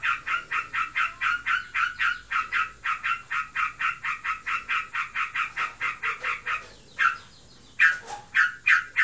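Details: Sooty-headed bulbul kept as a pet, said to be in breeding condition, chattering nonstop (ngebren): a long, even string of rough, clipped notes about three a second, then a short pause and a few louder harsh notes.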